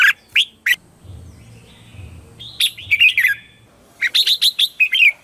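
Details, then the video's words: Red-whiskered bulbul giving morning lure song meant to draw wild birds and stimulate singing. A few isolated sharp chirps open, then a pause with faint low rumble, then two quick clusters of bright warbling notes. "Luyện chào mào hót sáng - CHÉ GỌI BỔI CĂNG ĐÉT"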